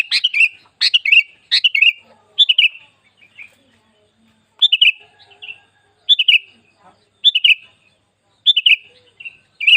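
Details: Sooty-headed bulbul singing as a lure for other bulbuls: short bubbly phrases of two to four chirpy notes, first in a quick run, then repeated about every second with brief silences between.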